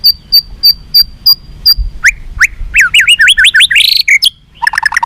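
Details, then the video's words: White-rumped shama song played to make captive birds responsive and fighting: a series of high pure piping notes, then rapid rising hooked whistles and a dense burst of mixed chattering and trilled phrases. "SUARA BURUNG MURAI BATU FIGHTER"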